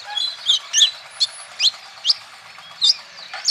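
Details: Olive-backed sunbird song played as a lure to get other sunbirds singing: thin, high sharp chirps and short down-slurred notes in spaced bursts, about two per second, over faint steady background hiss.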